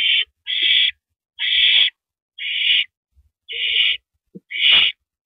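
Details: Male barn owl bringing a rodent to the nest on an April evening, 8:45 PM, 2012. Six harsh, hissing screech bursts, each about half a second long, come roughly once a second with brief silences and soft low thumps between.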